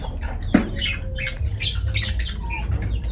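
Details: Lovebirds calling: a busy mix of sharp squawks, high thin chirps and short whistled notes from several birds at once, with soft rustling and thumps underneath.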